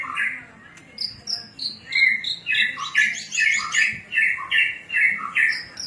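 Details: Javan bush lark of the Cilacap type, kept for taming, singing a 'cing ciu' style song: rapid varied chirps and sweet whistled notes, some high thin slurs, in bursts repeating about twice a second, with faint background murmur.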